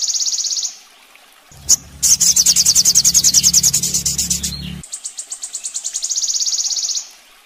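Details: Master training recording of a Sogon singing: bursts of very high, rapid trilled notes, then a loud sharp note and a dense run of fast chirps over a low hum, ending in a long even buzzy trill.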